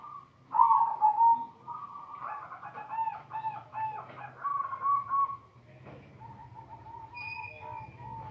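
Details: Silver zebra dove (perkutut) singing actively in the bekur and cetekan cooing styles: mellow tonal coos with quick rolling trills in the middle and sustained hooting notes near the end, over a low steady hum.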